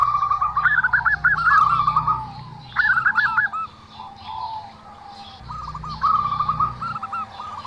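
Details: Zebra dove making a strange-sounding call, stammering series of quick cooing notes that step up and down, grouped in several bursts with brief lulls and a low hum behind.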